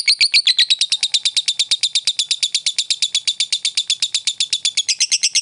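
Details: Rapid ngekek chatter from a fighter lovebird, a lure for provoking rival birds: shrill buzzy pulses repeated quickly and steadily for over five seconds, slightly uneven in spacing.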